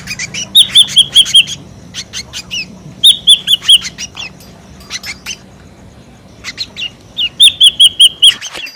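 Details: Ashy drongo, noisy lure calls: three groups of five or six quick, bright whistled notes, with scattered raspy notes and short gaps between them.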